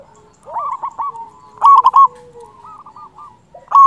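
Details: Loud local zebra dove, a lure for trapping doves: soft bubbling coos followed by a loud rolling coo phrase, more gentle trilled notes, and a final loud burst.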